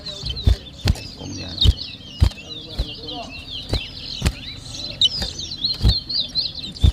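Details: Competing towa towa seed finch at a 2023 whistling contest in New Amsterdam, Berbice, Guyana, delivering an unbroken rapid chattering high warble, with repeated heavy knocks and background music.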